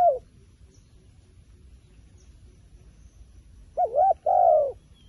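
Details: Wild pigeon: a brief coo at the start, a long quiet stretch, then a quick hooked double note and a longer falling coo near the end.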